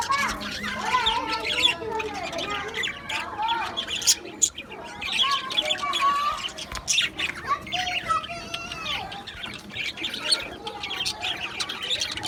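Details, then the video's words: Budgerigar colony in an aviary, recorded 11 July 2025: dense overlapping chirps, squawks and warbled chatter from many birds, with busy bursts through the whole stretch and a few sharper clicks near the middle. "Budgies Chirping sounds"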